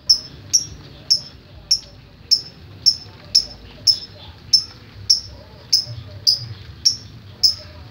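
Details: Lovebird ngetik song: crisp, high, sharply clipped chirps repeated steadily about twice a second throughout, like rapid typing, against a quiet low hum.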